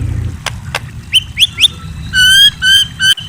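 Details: Night calls of a white-rumped shama: two sharp clicks, three upward-sweeping whistled chirps, then three sustained rich whistles with strong overtones, a low hum underneath.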